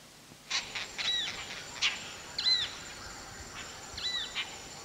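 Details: Indian rollers in a Bandhavgarh forest patch in summer, two males displaying and offering insects to a female in a mating ritual, give harsh, rasping bursts at irregular intervals mixed with short arched whistles over a steady hiss.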